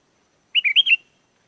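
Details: Sooty-headed bulbul song used as a lure for wild bulbuls. A single brisk phrase of four fluty, bubbling notes that rise and fall, clear and with no other sound.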